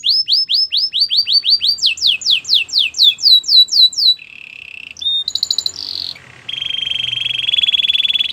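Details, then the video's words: Training song of a Belgian canary: long series of rapid looping whistles, then a low buzz, a clipped high rattle, and a sustained even rolling trill to the end. "Belgian canary singing"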